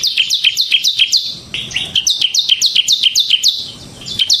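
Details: Ngebren-style song from a bar-winged prinia, ciblek semi variety. A dense string of high, clipped, falling chirps, nearly three per second, runs almost unbroken, with a short dip in volume halfway through.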